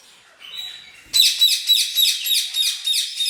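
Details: Lutino orange Red-rumped parrot, a domestic bird: after a second of faint high tone, bright rapid chirps repeat about four times per second in a steady, slightly downward-sweeping series until the end, likely indoors.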